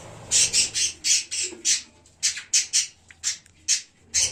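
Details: Budgerigars in a pet parrot colony, recorded on 1 January, giving harsh, high-pitched squawks in a quick irregular series, about a dozen bursts over four seconds, with faint low hum beneath.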